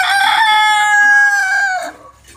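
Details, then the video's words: Rooster (chicken) from an Aseel versus Desi crowing competition gives one long, loud, harmonically rich crow, held steady for nearly two seconds before dropping off at the end. "Aseel Murga vs Desi Rooster crowing video"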